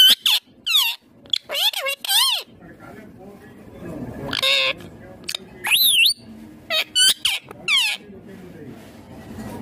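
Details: Green Indian ringneck parakeet talking: a run of high, clear, word-like bursts that swoop up and down in pitch, in short clusters separated by brief pauses, over a low indoor background hum.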